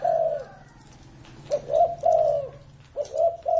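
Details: Spotted dove said to be over 30 years old, cooing in a low, hollow voice: a long drawn coo, then after a pause a run of three rounded coos, and another pair near the end.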